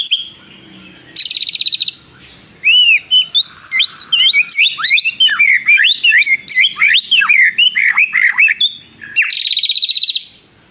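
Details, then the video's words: White-rumped shama in rich full song with prinia-like trills: high buzzy trills opening and closing a long burst of rapid, varied, tumbling whistled notes. "MURAI BATU GACOR ISIAN nembak prenjak tirrr panjang2"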